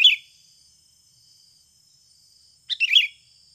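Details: Sooty-headed bulbul from a natural lure recording used to prompt birds to sing: the tail of one phrase at the start, then after a pause a short bubbling, chattering phrase with a faint steady hiss.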